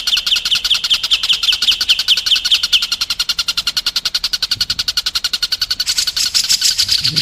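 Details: White-rumped shama song used as training audio for contest birds. A steady, rapid, high ticking roll with a clear rhythmic pulse runs throughout and brightens toward the close.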